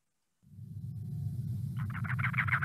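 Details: A pair of Cactus Wrens in southeast Arizona in winter gives a harsh, rapid run of grating chug notes, like an engine trying to start, over a steady low rumble.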